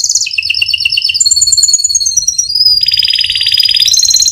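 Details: Vigorous canary in full song, a long rolling performance meant to prompt other canaries to sing. Rapid trills change pitch in steps, dipping lower, climbing high, then settling into a dense lower rattle before rising again.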